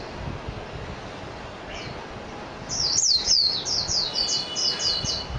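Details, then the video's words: After a quiet start with a faint note, a mejiro (Japanese white-eye) bursts into a fast, high, jumbled twitter of downslurred notes that lasts to the end. "تغريد طائر ابيض العين الياباني ميجيرو"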